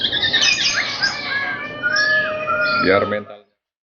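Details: Young white-rumped shama of Bahorok lineage, kept in training for song contests, gives a rapid run of whistled and warbled phrases with long slurred notes, ending in a brief low human voice before silence.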